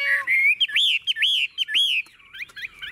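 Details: Chinese hwamei singing in its cage: clear rising whistles followed by three swooping looped notes, trailing off into softer quick twitters.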